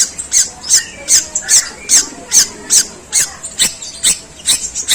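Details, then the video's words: A long-tailed shrike repeating harsh sparrow-like chirps, part of its long, coarse tembakan gerejaan: sharp high notes at an even pace of roughly two to three per second. "Suara pentet tembakan gerejaan panjang dan kasar"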